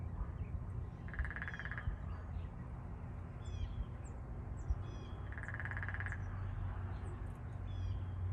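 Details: Female Downy Woodpecker drumming: two short, rapid rolls about four seconds apart over a steady low rumble, with faint high chips from other birds.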